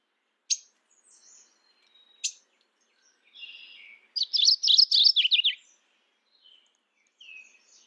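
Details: Mourning warbler calling: two sharp clicks and a soft buzzy note lead into a rapid, loud run of warbled doubled notes lasting about a second and a half, followed by faint scattered chips.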